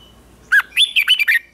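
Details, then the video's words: Red-whiskered bulbul morning song used to train other bulbuls to sing, a short burst of loud, bubbling warbled notes around a clear pitch, five quick syllables in about one second after a brief faint whistle. "Luyện chào mào hót sáng hót hay"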